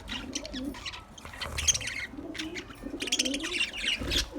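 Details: Caged budgerigars chatter in quick, scratchy chirps and squeaks, with a soft low warble underneath.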